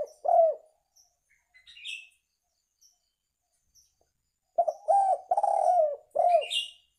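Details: Spotted dove calling, a recording used to lure birds: one low hoarse coo opens, then after a quiet pause comes a rolling multi-note cooing phrase, with brief high chirps from another bird between phrases.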